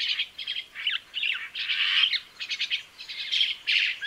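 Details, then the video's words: A crested myna sings a busy, varied run of harsh chattering notes mixed with brighter whistles, delivered in quick bursts with barely a pause. "Canto do pássaro Mainá de crista"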